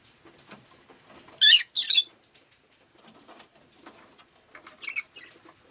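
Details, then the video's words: Rosy-faced lovebird on a rainy day making a quick pair of loud, rasping shrieks, followed a few seconds later by softer, shorter chirps against low chatter. "Lovebird Chirping Sounds"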